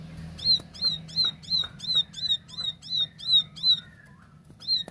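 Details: Plain prinia, locally ciblek sawah, delivering the 'tembakan' song style: a steady run of crisp, high, ringing chips about three per second, then a short gap before one more note, with a soft low hum beneath.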